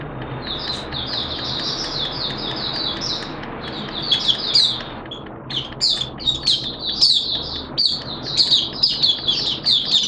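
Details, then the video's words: Malaysian oriental white-eye kept as a hobby songbird, in open song: soft rapid high twittering amid steady background noise, followed by louder sharp chirps and quick warbled notes. "Malaysian Mata Puteh Buka Sing"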